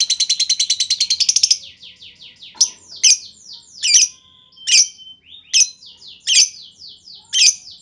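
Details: Lovebird lure, 'ngetik' typing style, meant to draw long 'ngekek' chattering from other lovebirds; a rapid buzzy trill opens, followed by harsh shrill chirps spaced under a second apart with thin sweeping whistles.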